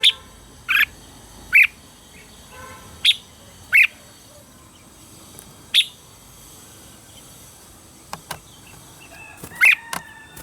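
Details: Red-whiskered bulbul morning song, a recording used for voice training of birds: loud, short, bright chirped notes given in irregular bursts roughly every second, with quieter faint calls and a steady hiss between them.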